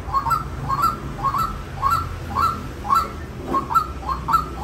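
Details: White-breasted waterhen repeating paired, slurred upward notes at a regular pace of nearly two per second over a low background drone.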